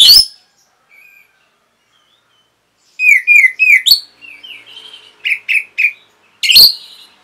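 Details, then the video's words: Orange-headed thrush masteran for caged birds: scattered loud sharp notes, with a quick series of bright, downslurred chirps and a few soft warbles in between. "CUKUP 15 DETIK ANIS MERAH PASTI MENGIKUTI KICAUAN MASTERAN INI"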